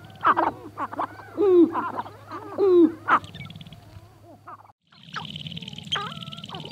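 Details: Male sharp-tailed grouse on their lek north of Great Falls, Montana, early April morning; repeated hooting, cackling calls with descending slurred notes over rapid pattering, then a break and a high whistled tone with clicks.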